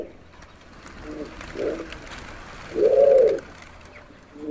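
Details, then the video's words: Over a hissy, noisy background, a pigeon gives two soft low notes, then a louder, swelling coo, with the start of another coo at the end. "pigeon sound"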